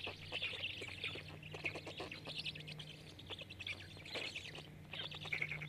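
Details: Five Black stork chicks begging as an adult feeds them at a nest in Jõgeva County, Estonia, on 29 May 2022, captured by a nest camera: dense bursts of harsh, hissy, chirring calls, repeated in waves, over a steady low hum.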